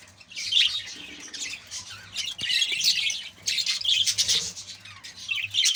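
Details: Budgerigars in a colony giving dense, overlapping high chattering and squawking calls in bursts, with short quieter gaps and a faint low hum beneath.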